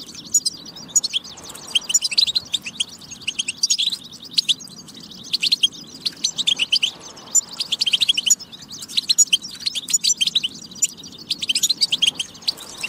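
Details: European goldfinch singing, played to encourage goldfinches to sing: long, nearly continuous run of rapid liquid twitters, chirps and buzzy trills, with only short breaks between phrases.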